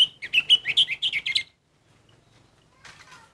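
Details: Orange-headed thrush singing a quick run of loud, varied chirped notes for about a second and a half, then near silence with a few faint, scratchy notes toward the end.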